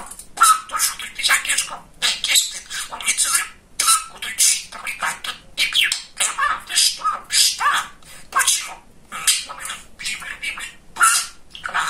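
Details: Male pet budgerigar, described as very chatty and funny, talking indoors: rapid raspy, high-pitched chattering bursts of mimicked speech, broken by short pauses, continuing throughout in a small room.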